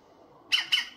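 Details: European green woodpecker calling while unbothered by a cat nearby: two harsh, squawking notes in quick succession, each a short, rasping burst, then the bird falls quiet.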